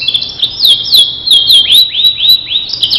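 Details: Caged starblue canary song used as a master recording to train other canaries: clear high whistled phrases around a steady pitch, with repeated rising and falling slurred notes in quick succession, some faint clicks; a low hum sits underneath.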